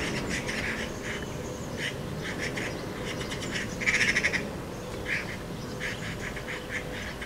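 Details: Magpies fighting around their nest at the bottom of a garden: harsh, rattling chatter in repeated bursts, building to a louder rapid rattle midway, over steady background hiss.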